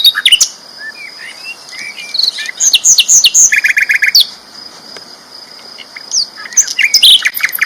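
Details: Sikatan londo flycatcher, a champion bird, singing loud and full: high, quick chirps and trills with a buzzy rattle of short notes near the middle, over a steady high whine.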